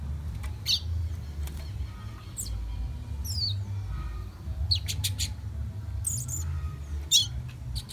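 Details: Young fire red, Guyana, South America, whistling: sparse high chirps and a descending slurred note, then a quick cluster of sharp notes and a final bright chirp, steady low hum behind.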